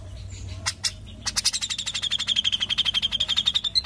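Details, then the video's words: Grey-cheeked bulbul (cucak jenggot) singing in the dense 'ngepik rapat' style: a few sharp high chips, then a fast, even run of short clipped notes, about four per second, holding a steady high pitch. "Sperti ini CUCAK JENGGOT Ngepik Rapat"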